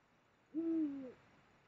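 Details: A single deep, steady hoot from a Eurasian eagle-owl during mating, at the Moselle, Germany, in late January 2022, about half a second long, dropping slightly at the end; otherwise quiet.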